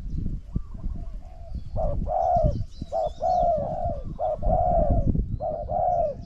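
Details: Spotted doves cooing in a decoy contest against a wild bird. After a quiet start, smooth low coos in paired phrases repeat steadily over strong rumbling background noise.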